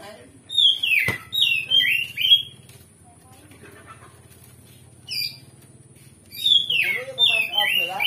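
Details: Oriental magpie-robin in loud, varied provoking song meant to draw a fighting reply from rivals: groups of sweet whistled, falling phrases separated by long quiet gaps, with one sharp click early on.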